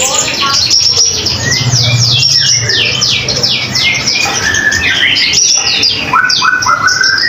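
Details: Common iora in vigorous song, used as tutor material for other songbirds; a rapid series of sharp falling whistled sweeps, several per second, then a run of rising notes, over a faint low hum.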